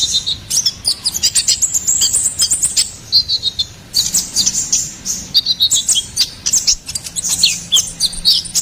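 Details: Ruby-cheeked sunbird pouring out gacoran-style song, used for luring and tutoring songbirds: bursts of very rapid high chips and thin whistles, separated by brief gaps, with a faint low hum beneath.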